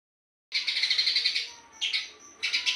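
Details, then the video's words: Eurasian tree sparrow singing in the dense, fast 'gacor speed rapat' style: after brief silence, a long burst of rapid high buzzy chirps, then two shorter bursts, with a thin high note held between them. "Burung Gereja Gacor speed rapat"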